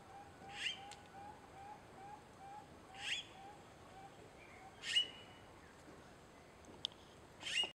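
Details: Young red-billed blue magpie recorded on 13 March 2015: harsh, high, noisy bursts repeated roughly every two seconds, separated by quiet gaps, over a faint steady mid-pitched hum.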